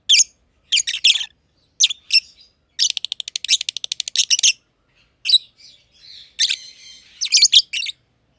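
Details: Caged personata lovebirds, one green and one green pied, chattering in their aviary. Scattered shrill chirps are followed by a rapid rattling run of evenly spaced clicks, then more harsh squeaky notes.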